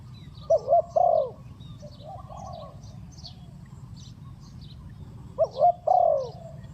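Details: Spotted dove fast cooing as a trapping lure: two short bursts of low, wavering coos separated by a long quiet gap, softer cooing between them, and faint high chirps of other birds.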